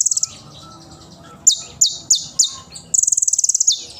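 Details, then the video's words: Konin sunbird singing loudly, a recording for training young birds: a brief high trill, a quiet gap, then four sharp descending whistled shots spaced evenly and a fast, very high buzzy trill to finish. "Konin Gacor Tembakan Tajam & Isian Mewah Suara Nyaring || cocok untuk masteran konin trotol ijoan"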